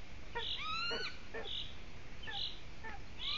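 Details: Golden eagle at its nest while nest material is brought in, giving thin rising whistled calls with faint overtones, several in quick succession, as another bird repeats a short high note about every second.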